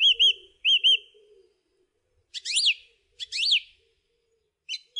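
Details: Song thrush phrase pairs: a double whistled note sung twice, then a loud scratchy rising-falling phrase repeated twice, and a brief final note; faint low calling beneath at the start.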